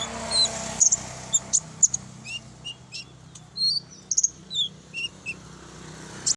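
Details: Common iora lure song, full version: a run of short high whistled notes and quick down-slurred chirps about twice a second, over a low steady hum.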